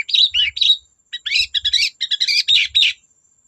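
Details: Singing long-tailed shrike, the song used to stir other shrikes into singing: dense, rapid warbling and chattering notes in quick clusters, with brief soft low thumps underneath.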